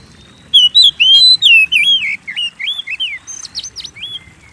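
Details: Kacer, the Oriental magpie-robin, in full song as a lure for kept birds to sing; a fast string of sweet, slurred whistles rising and falling, then sharper, thinner notes near the end, over a faint hum.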